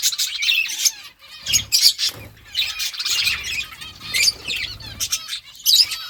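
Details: Budgies chirping as they eat: quick, twittering chirps in clustered bursts about a second apart, over light rustling.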